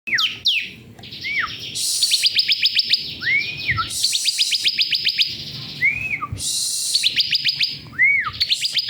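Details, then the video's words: Bar-winged prinia song recorded as a masteran for training captive songbirds: bursts of rapid, evenly spaced high ticking notes form dry trills, broken by short slurred whistles that rise then fall, with a sharp opening chirp. "masteran ciblek"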